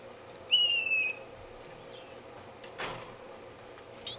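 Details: Red-billed (Senegal) firefinch calling close up in an indoor non-breeding community aviary in Edmonton, Canada, 19 Feb 2015: one clear high whistled note about half a second long, falling slightly, then faint chirps and a sharp click.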